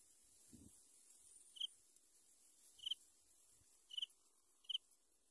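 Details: Yellow bittern at a nest where a pair raises three chicks, giving four short, thin, high-pitched peeps spaced roughly a second apart, with a soft low thump near the start.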